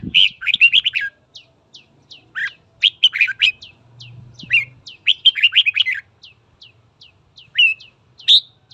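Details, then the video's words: Red-whiskered bulbul, a kept bird being trained, singing in the morning to provoke rivals into fighting: bursts of rich warbled notes around two to four thousand cycles, alternating with thin, rapid descending chip notes, repeated over nine seconds; faint low hum beneath. "Luyện giọng chào mào hót sáng kích bổi đấu"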